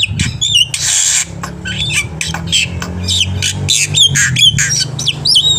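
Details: Black-winged myna in lively, varied full song used as a training recording to prompt birds to sing: harsh squawks, buzzy bursts and sharp rising and falling whistles in quick succession over a steady low hum.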